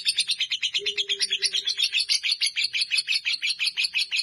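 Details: Rapid rhythmic chatter of a fighter lovebird, evenly pulsed high notes roughly four per second, with a faint low tone in the background.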